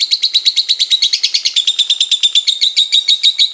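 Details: Lovebird singing 'konslet' style, played to stir other lovebirds into answering and to train young birds learning to sing; fast run of harsh, high chattering notes, slightly uneven in pace, dense and continuous.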